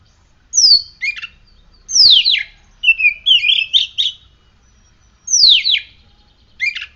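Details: Oriental magpie-robin kept in a cage, in full song after morning sunning and dew: steep high downslurred whistles followed by chattering, buzzy notes in quick clusters, then a pause and a repeat of the whistle.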